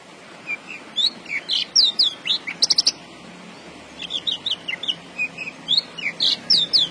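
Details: Javan bush lark kept in a cage sings a varied phrase of slurred upward and downward whistles with a quick clicking rattle midway, notes spaced in a steady lively rhythm.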